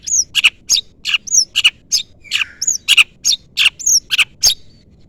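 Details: Long-tailed shrike call meant to draw a rival into answering: rapid harsh chattering notes, about three or four per second, interleaved with short high whistled slurs and one lower buzzy note.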